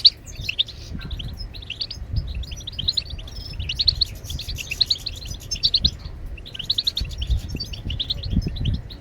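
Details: European goldfinch singing to stimulate other birds' song; rapid liquid twittering phrases with tinkling trills and brief pauses, low background rumble.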